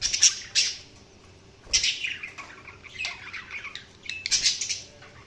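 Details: Budgies chirping: sharp high chirps and squawky bursts separated by short pauses, with a warbling, descending chatter in the middle and a cluster of squeaky notes near the end.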